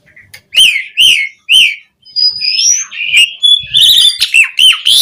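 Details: Asian pied starling song for teaching captive birds: three loud, harsh, evenly spaced notes, then drawn-out sliding whistles and a buzzy, trilled finish.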